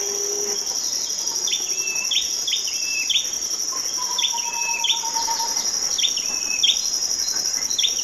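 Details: A tailorbird (Orthotomus, cinenen) gives sharp, high chirps in quick bursts of two or three, repeated throughout, over a steady high insect whine and a few soft lower whistles.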